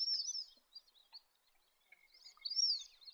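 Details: Wandering whistling duck: sparse, high, thin whistled calls, each a short rising-then-falling slur, with a pair of louder twittering whistles at the start and again near the end, quiet gaps between.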